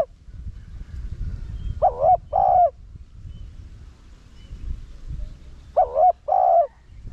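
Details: Decoy spotted dove singing 'Rặc Đồng' style coos to bring in wild doves. Two phrases about four seconds apart, each a short quavering note followed by a fuller steady coo, with light background noise.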